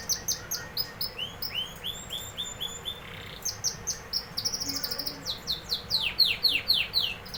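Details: Singing canary with series of clear rising and falling high notes repeated quickly, a short buzzy passage, then fast descending slurs and a closing trill, against quiet low background noise.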